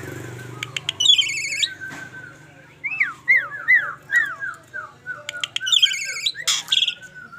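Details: Asian pied starling, described as bald, gives harsh, rasping bursts around a quick series of about six upslurred whistles, spaced roughly half a second apart, over a faint steady hum.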